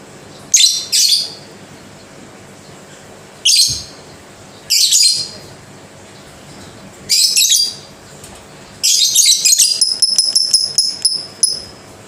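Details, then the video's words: Pet lovebird chattering in scattered harsh, buzzy bursts, then a rapid run of clicking notes ending in thin, steady whistled tones near the close. "Lovebird Bunyi Pelan TAPI Pasti"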